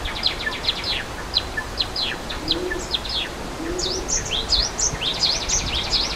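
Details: Java sparrow calling in the wild beside a waterfall: busy series of short high chirps and twittering notes, later rising and falling sweeps, with a low cooing note and a steady rush of falling water underneath.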